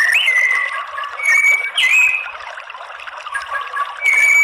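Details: Lure song of a white-rumped shama, meant to push males into answering with fighting song: sharp rising whistles and long level notes separated by short pauses, with a steady hissing background.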